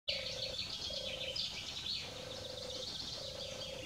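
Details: A distant European turtle dove calls near Grolloo on 13 June 2021, giving soft, low purring trills, four in under four seconds, beneath a dense, bright chorus of other birds.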